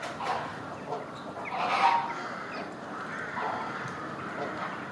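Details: A flock of Chilean flamingos displaying in sync gives overlapping nasal, goose-like honks and grunts, with a louder burst near the middle of the clip.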